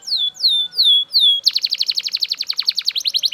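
A Belgian canary sings four high, clear down-slurred whistles, then breaks into a fast, bright rolling trill of about ten notes per second.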